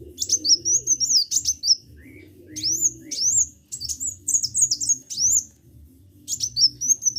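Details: Vigorous (gacor) sunbird song of busy high whistled phrases, sharp upsweeping chips and short warbles in bursts separated by brief gaps, over a low steady hum.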